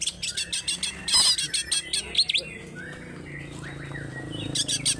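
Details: Greater green leafbird of local origin from Alas Purwo, Banyuwangi, kept as a songbird, in fighting mood with tail opened. Bursts of sharp chirps and buzzy notes early, a loud rapid chattering burst near one second, then softer scattered whistles and fresh chirping at the end.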